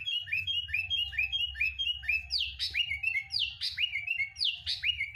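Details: Sooty-headed bulbul lure song meant to make other bulbuls sing: repeated rising whistled notes in quick succession, then louder two-part phrases of a high sweeping note dropping into a lower whistle, over a soft hum.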